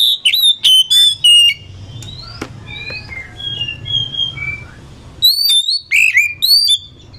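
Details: Oriental magpie-robin (kacer) trading song phrases: a quick series of loud, bright whistled notes with rough overtones, quieter rising and falling whistles answering in between, then another loud burst of rapid notes.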